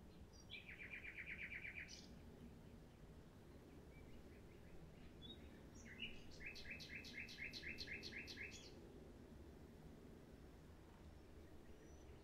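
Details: Common nightingale song: a rapid buzzy trill for over a second, then after a pause a long fast rattling series of repeated clicking notes, set against low background hum.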